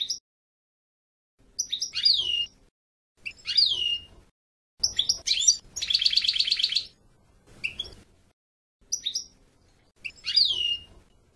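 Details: European goldfinch singing in short separated phrases: sharp downslurred whistles sweeping from high to mid pitch, twittering notes, and one dense buzzy rattling trill near the middle, with pauses of about a second between bursts.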